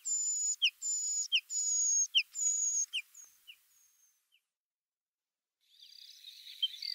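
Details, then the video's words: Bluethroat song of long, level, very high whistles, each ended by a short downward flick, repeated about four times, then fading notes, with a hiss of background noise returning at the end. "Варакушка (Luscinia svecica) - голос"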